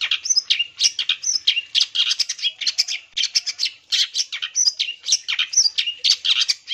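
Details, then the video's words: Lure song of a long-tailed shrike meant to provoke other shrikes into replying. A continuous rapid jumble of shrill chirps, brief rising and falling whistles and raspy notes, about one burst per second, with nothing else heard. "CENDET GACOR PAGI SIANG SORE"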